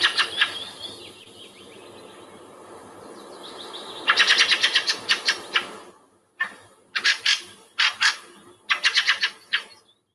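Fieldfare calls: harsh, chattering chack-chack bursts in quick clusters, separated by brief pauses, with fainter thinner calls early on.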